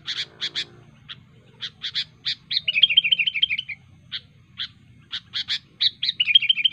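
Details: Wild sooty-headed bulbul giving a sharp rival-calling song. Clusters of high chips alternate with two bursts of rapid, bubbling trilled notes. The background is quiet.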